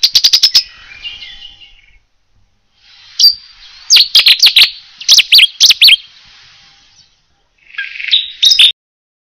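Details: Cetti's warbler (Cettia cetti) singing in France: loud, explosive phrases of sharp, ringing notes, delivered in sudden volleys separated by short pauses.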